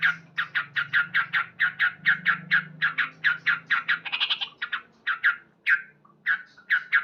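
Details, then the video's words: Male sooty-headed bulbul singing loudly in the morning: a fast, steady run of short, harsh chattering "cuk" notes, several per second, with a brief higher trill in the middle and a few pauses near the end. "Terapi Burung Trucuk Gacor"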